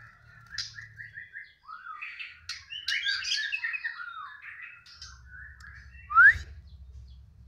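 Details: White-rumped shama (murai batu) in a cage, giving a balak six-sound song when the cover comes off: repeated stuttering notes, then a rich jumble of warbles and whistles, ending in a loud rising whistle.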